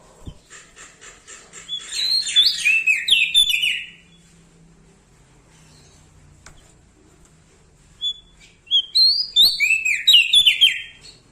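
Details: Bar-winged prinia from Lombok singing loudly: a clear phrase of quick descending whistled notes after faint ticking, a long quiet gap, then a second similar ringing burst of slurred whistles.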